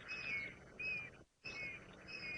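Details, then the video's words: African grey hornbills calling during a sunrise drive on 7 April 2018 in the Sabi Sand, South Africa: high, plaintive whistled notes, each about half a second long, repeated four times with short pauses, over a faint rustling background. "You can hear grey hornbills calling there."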